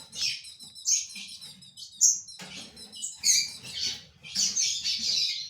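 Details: Ultramarine grosbeak of tournament-bird stock sings lively, high, warbled phrases of tumbling chirps and trills, broken by short pauses and growing denser toward the end, with a faint low hum underneath.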